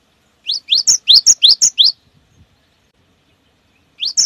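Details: Cinereous tit song used to lure other birds into singing: a quick series of about seven sharp, high up-slurred whistled notes, then silence, then two more notes at the end.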